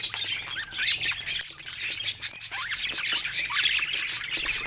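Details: Pet budgies amusing themselves with toys: thick overlapping chatter of squeaks, rising whistled slurs and rasping notes, steady in loudness throughout.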